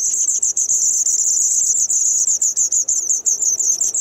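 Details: White wagtail nestlings fed by parents, 3 June 2019, Kumiyama town, Kyoto, Japan, two days before leaving the nest: an unbroken, very high-pitched stream of fast sibilant cheeps with brief dips, quiet surroundings.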